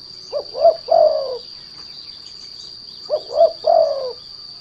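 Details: Derkuku, spotted dove, cooing as a lure for other doves: two three-part phrases, short hooting notes climbing into a long sliding coo, about 2.7 seconds apart, with an unbroken electronic tone throughout.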